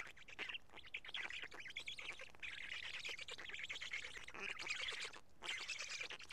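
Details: Feeding time at a Karula black stork nest, 31 May 2017, midday: the chicks keep up a loud, grating, hissy chatter, broken by a couple of short silent gaps.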